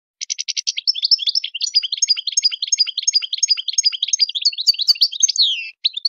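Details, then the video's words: Sustained European goldfinch song in wild style. It is a continuous, tumbling stream of rapid, high, liquid twitters and clipped chirps, opening with a short buzzy rattle and ending in a sliding note. No background noise. "chant chardonneret sauvage"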